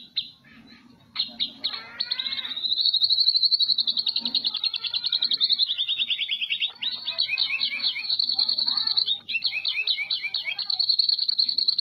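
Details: Medan white-rumped shama, a national champion competition bird at the 2018 Presiden Cup, sings full tembakan cililin: a dense, rapid, high chattering trill, run almost without a break after a few opening notes, with sweeping whistles mixed in.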